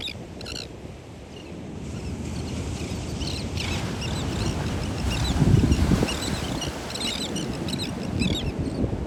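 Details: Terns at a beach giving sharp, harsh, repeated chipping calls in quick bursts, partly masked by a loud, low rumble of engine-like or wind noise.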